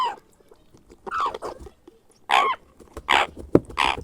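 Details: Grey parrot hatchling during hand-feeding, giving scattered nasal squawks with a dipping, curved tone, followed by a few louder raspy bursts near the end.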